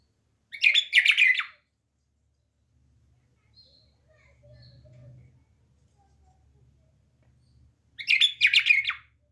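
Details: Home-kept bulbul producing two loud, rapid, chattering phrases about seven seconds apart, with a soft low hum and faint high notes in between.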